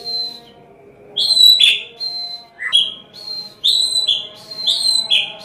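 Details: White-rumped shama singing in the style of a prinia, used as a master song for training shamas: high, clear whistled notes that slide down in pairs, with sharp bright accents, over a steady low hum.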